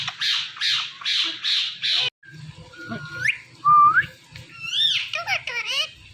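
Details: Pet Indian ringneck parrot, a talking parrot, gives four harsh, evenly spaced squawks, then after a short pause a run of rising whistled glides and chattering notes. A low hum sits underneath.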